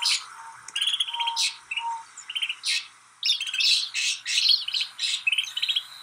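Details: Lively chorus of snow buntings in Kananaskis, Alberta, Canada: overlapping buzzy rattles, clipped chirps and sharp high notes from several birds, with brief pauses between clusters.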